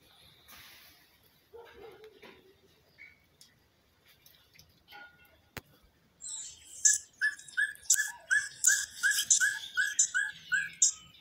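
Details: An Elf Owl in winter gives a quick run of about a dozen high, yelping, puppy-like notes, roughly three per second. Faint rustles and a soft low whistle come first.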